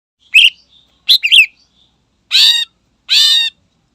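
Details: Greater green leafbird in energetic song meant to provoke rival birds: two short sharp whistled phrases followed by two louder buzzy, harsh notes with descending tails, spaced about a second apart.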